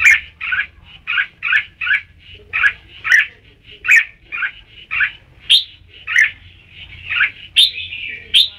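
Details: Red-whiskered bulbul: a long, steady series of clipped whistled notes, about two per second, ending in a sweeping warbled phrase.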